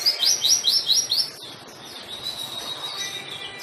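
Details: White-eye in lively song, used as a lure and tutor for white-eyes that are reluctant to sing: about five quick, high, down-slurred chirps in rapid succession, followed by softer continuous high twittering.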